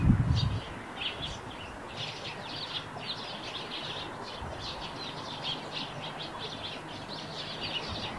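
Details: Eurasian tree sparrow singing on the roof where it nests. It gives a steady run of short, bright chirps, several per second, over faint background hiss. A brief low thump opens the recording.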